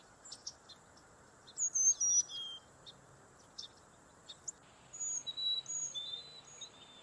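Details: Carolina chickadee singing its simple whistled song, a four-note fee-bee-fee-bay pattern of clear notes alternating between higher and lower pitches, in two short bursts over a faint steady insect hum.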